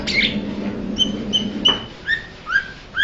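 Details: Blue-winged leafbird calling: a scratchy opening note, then clean, short, whistled notes. The notes repeat about twice a second, and later ones drop lower in pitch, over a faint low hum.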